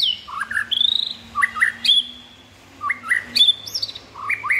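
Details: White-rumped shama delivering repeated phrases of rich fluting whistles, each starting low and stepping upward into a long high note, phrases separated by brief pauses.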